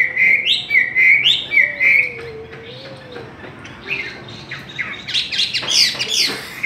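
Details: Chinese hwamei in a singing contest: loud, varied whistled phrases, sharp rising and falling notes repeated rapidly, ending in a burst of high trills, with a lower steady tone from another bird beneath.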